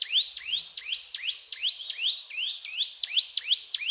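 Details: Persistent cetrakan singing by a brown prinia: rising, slightly hooked chirps delivered about three per second, steady and bright throughout.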